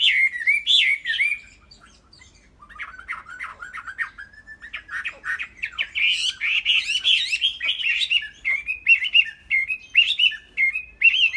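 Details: Caged Chinese hwamei song opening with a strong whistled phrase, a short pause, then a long stretch of fast chattering and varied whistled notes building in loudness, with rapid repeated slurred notes near the end.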